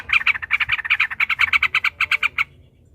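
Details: Yellow-vented bulbul in aggressive ropel panjang mode, meant as a lure: a single fast run of about twenty harsh, evenly repeated chattering notes lasting over two seconds, then silence.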